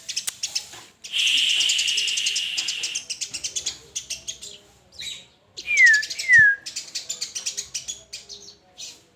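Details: Murai batu, or white-rumped shama, in full song: a long sustained high whistle, then fast chattering notes and two clear downward-slurred whistles, with varied phrases throughout.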